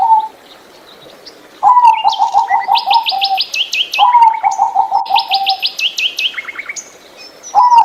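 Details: Zebra dove, small and mostly gray, kept for its voice, delivering rapid strings of soft low coos twice, overlapped by bright, loud, rhythmic high-pitched chirps from another caged bird.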